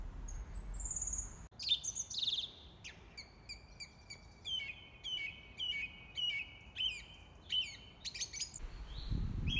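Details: Song thrush singing a series of short, sharp repeated phrases, each a quick cluster of bright notes with brief pauses between, over a faint low rumble of background noise.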